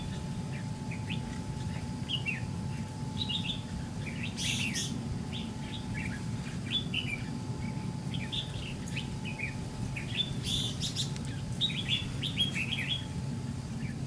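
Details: Red-whiskered bulbul at a fighting trap with a white-cheeked decoy: many short, fairly soft chirps spread evenly, two bursts of wing-flutter or rustling, constant low rumble.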